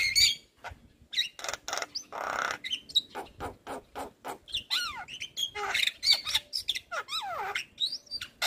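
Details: Javan myna, a white-eyed bird, singing a fast medley of harsh broadband rasps mixed with rising and falling whistled notes and sweeping slurs, bursts following each other almost without pause.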